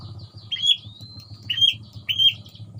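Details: Murai batu, a white-rumped shama kept in a colony cage, giving three clear whistled phrases, each opening with a bright note, one stretched into a long thin tone, over a low background hum.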